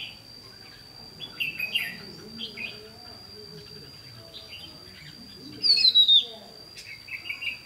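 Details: Red-whiskered bulbul kept as a trapping decoy, 28 May 2016: scattered short chirpy warbles, then a loud sharp whistle sliding downward near the middle, followed by more quick warbled notes.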